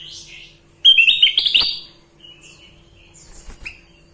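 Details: Sooty-headed bulbul in full song, a quick cheerful phrase of stepped, rising whistles lasting under a second, then quieter scattered chirps and short notes in the background.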